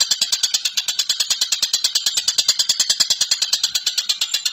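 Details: Collared kingfisher (Todiramphus chloris) giving a fast, unbroken series of harsh, high, rasping notes, about eight per second, steady in pitch and loudness; a clear-voiced bird used as a training song for other birds.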